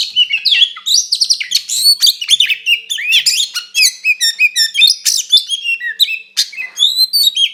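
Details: White-rumped shama fighting song used to provoke another shama: loud, dense, rapid phrases mixing harsh clicks, whistled upslurs and high chirps, continuing with hardly a break.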